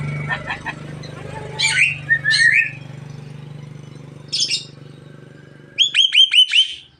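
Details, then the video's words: Javan myna, a caged bird said to be talking until it coughs; brief harsh squawks and chattering notes, then a quick run of five rising whistled chirps, over a steady low hum. "burung jalak kebo ngomong sampai batuk"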